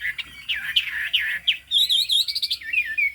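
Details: Chinese hwamei, a highland bird with fig-leaf tail and yellow bill, singing in loud whistled phrases. The phrases slur downward, then a rapid run of bright high notes follows, with fainter overtones above.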